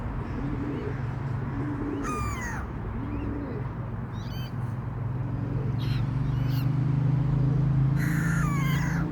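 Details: Family of Eurasian coots feeding in Queen's Park, Glasgow; a few sharp, high, downward-sliding calls come in short bursts, separated by pauses, over a steady low rumble of background hum.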